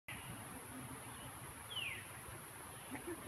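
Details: A veery calls at Catherine Creek State Park, Oregon, in June 2016, a single clear, downslurred "veer" note over a steady high insect-like hiss and low background rumble.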